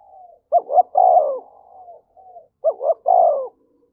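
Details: Spotted dove provoking a fight with its coo. Two phrases of two quick rising notes and a long falling note are linked by soft, drawn-out murmuring notes.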